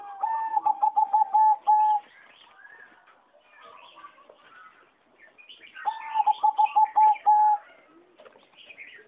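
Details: Singing zebra dove bred for competition, recorded in an aviary on 26 April 2014: two bursts of rapid staccato cooing notes rolling into a sustained mellow coo, with chirps and whistles from other aviary birds between phrases.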